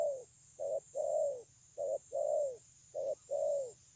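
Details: Spotted dove, 9 June 2020: a regular rhythm of a short coo followed by a longer, smoothly falling coo, repeated three times in four seconds. A low hum and a steady high hiss are in the background.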